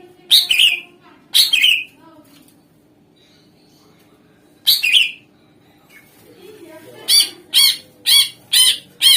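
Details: Greater green leafbird song used to draw replies from other songbirds: two loud chirpy bursts, a long quiet gap, a third burst, then a rapid run of five sharp notes about half a second apart.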